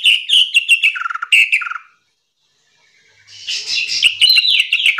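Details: Young sooty-headed bulbul in a full, varied tutoring song for training songbirds: a burst of quick, liquid whistled notes stepping downward, a short silence, then a denser run of bright chattering phrases.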